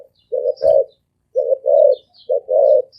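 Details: Spotted dove giving quick, deep and resonant 'thổ ồm vang' coos: three low phrases about a second apart, each a short lead note followed by a longer booming coo, with a faint knock and soft high twitters behind.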